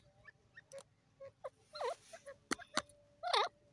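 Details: Francolin giving short downward-swooping harmonic calls among soft chattering notes and a few sharp clicks, against a low steady background hum.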